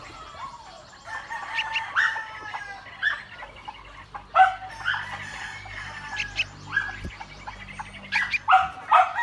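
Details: Yellow-vented bulbul family in a backyard, adults teaching young to fly, giving bubbly, chattering calls in quick, irregular bursts of mid-pitched notes, several birds overlapping over faint background hum.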